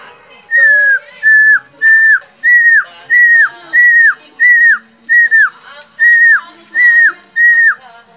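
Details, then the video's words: A teased captive helmeted friarbird whistles on and on: eleven short, bright notes, each with a falling tail, repeated steadily about every two-thirds of a second. "KOAK KAOK PANDAI BERSIUL"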